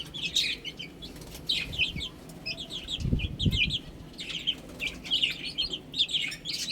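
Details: Baby chickens eating and drinking, with a chorus of high, short, downslurred peeps overlapping in quick bursts and low thumping knocks in the middle.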